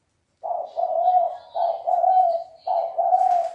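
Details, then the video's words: Quick run of low, rolling coos from a red collared dove in the 'thúc bổi' and 'gáy gù' styles, the notes grouped in twos and threes with barely any gap between them. A soft higher hiss comes in near the end. "Tiếng chim cu gáy đồng thúc bổi gáy gù mới hay 2020"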